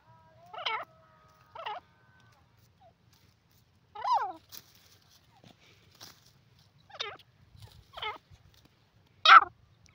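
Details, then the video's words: Francolin calling in a quiet setting: short harsh notes with descending harmonics, given singly at irregular intervals of one to two seconds, the last note loudest. "teetar ki awaz,the stunning sounds of francolin bird awaaz"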